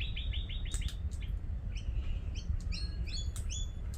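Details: Lorikeets at a cafe, giving a rapid series of short, sharp chirps followed by scattered high, squeaky whistled notes over a steady low background rumble.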